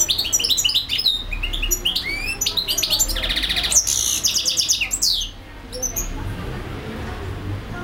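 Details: European goldfinch in long continuous song, pouring out bright chattering twitters and slurred whistles, a dense buzzy trill near the middle, then a brief lull with low rumbling noise.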